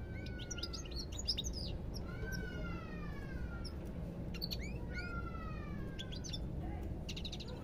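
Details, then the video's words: European goldfinch song mixing long, drawn-out descending whistles with bursts of sharp, high chirps and quick rising notes, heard over constant low background hum. "ربع ساعة من تغريد طائر الحسون"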